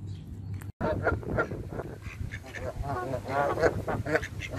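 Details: Hand-fed Canada geese call in quick, uneven nasal honks, several overlapping, with clicking sounds and a low background hum.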